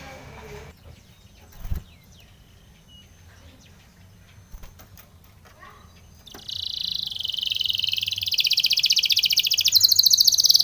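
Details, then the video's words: Spanish Timbrado canary singing a training song: after six seconds of near-quiet with faint clicks and a thump, a dense high rattling trill starts and grows louder through the end. "Spanish Timbrado canary song for training"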